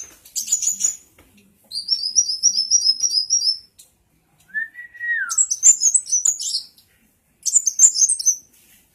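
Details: Tail-wagging sunbird (kolibri muncang) singing actively: several bursts of very high, quick twittering notes and a run of evenly repeated shrill chirps, broken by silences and one lower, smooth falling whistle.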